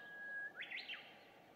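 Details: Introduced Chinese hwamei singing near a house at 5:30 on a June morning, recorded from some distance. A long steady whistle leads into a short burst of loud, rising and falling whistled notes over a constant low background hum.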